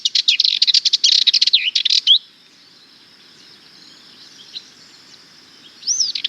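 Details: Rapid rattling phrase from a Sardinian warbler lasting about two seconds, harsh chattering notes with squeaky twisted whistles, followed by quiet and the start of another scratchy burst near the end.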